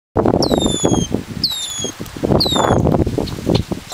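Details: Red-winged Blackbird, possibly a male defending his chicks, gives alarm calls toward the recordist: three clear, high, down-slurred whistles about a second apart, over loud rustling and wind noise on the camera microphone.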